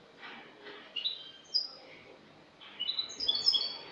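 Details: Spanish goldfinch singing in the clean-song style, cante limpio; a bird from last year, recorded 22 August 2018. Soft scratchy notes, then bright tinkling twittered bursts high up, pausing about a second before a faster jingling run.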